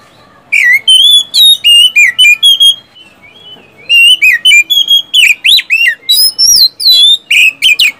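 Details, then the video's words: Energetic oriental magpie-robin song meant to prompt sluggish caged birds to sing: a run of bright whistled notes, a brief pause near three seconds, then fast varied chirps, slurs and upswept whistles. "SIULAN dan TEMBAKAN kacer satu ini,DIJAMIN ampuh buat pancingan kacer macet malas bunyi jadi gacor"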